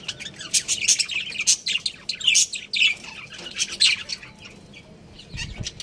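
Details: Breeding pair of pet budgerigars with busy, high twittering chirps and short squawky notes packed closely together, with a faint low thump near the end.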